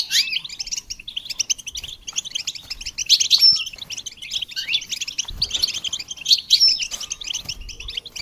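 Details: Goldfinch song played to stimulate songbirds, a continuous energetic twitter of liquid chirps and buzzy trills, swelling and easing in waves over several seconds.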